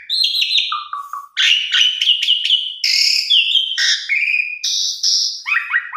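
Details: Asian pied starling singing energetically in a tutor recording for young birds: a short low rattle of repeated notes, then dense harsh chatter, long slurred whistles, and clear high sustained tones ending with quick descending notes.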